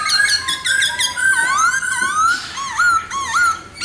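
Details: Laughingthrush (khướu mun): rapid run of bright chirps followed by long swooping whistles that rise and fall, then a few short dipping notes.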